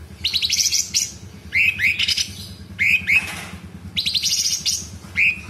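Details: Sooty-headed bulbul singing in the cucak cungkok 'tembakan' style with fill-in phrases. Rapid rattling bursts alternate with rising whistled upslurs. A low steady hum runs underneath.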